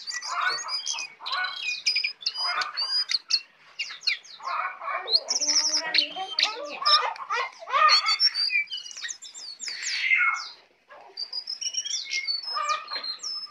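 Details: A tame, talkative Brown prinia giving a long 'isian' song; a varied medley of sharp chirps, clicks, whistles and buzzy rattles, with a brief pause near the end.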